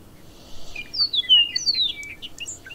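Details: Bobolink in the wild giving a short bubbling burst of high, sliding metallic notes, mostly descending, lasting about a second over quiet low background noise.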